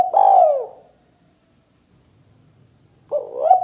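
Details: Spotted dove lure call in the 'kuk 2' style, meant for catching and provoking doves. A long, smooth, falling coo, then about two seconds of quiet, then a rising coo begins.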